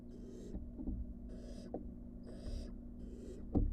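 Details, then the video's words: Four breathy hisses about one second apart from wild barn owl nestlings re-entering their box from the porch, mixed with soft bumps and a louder knock at the end over a low hum. "Barn owl nestlings return to the box after being on the porch"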